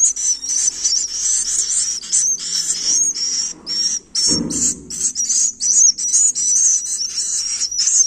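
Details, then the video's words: Swiftlet chicks in the nest produce continuous high, rasping hisses broken by brief gaps, with short thin whistles slurring through them; one low thump sounds midway. "suara anak piyik burung walet"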